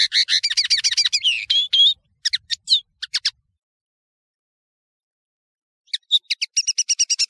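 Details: European serin song from a tutoring recording used to train nino birds: a rapid, high, sizzling jingle of tinkling notes, then a few scattered chirps, a long silence, and a renewed fast metallic trill.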